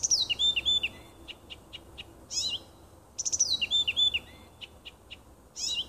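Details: Nightingale singing in a small wood near a house on 30 June 2015: varied phrases of whistled notes, sharp clicks and rapid repeated ticking pulses, with short pauses between bursts and faint background hum.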